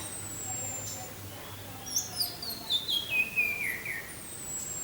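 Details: Orange-headed thrush in 'teler' style with wind sound: a thin high whistle slides down, then a tumbling run of whistled notes falling steadily in pitch, closing with another long high whistle, over quiet background hiss.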